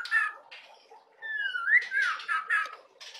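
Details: Young white-rumped shama singing: a few clear whistled notes, one long slurred whistle that rises and then falls, and short buzzy bursts between them, with quiet gaps in the phrase.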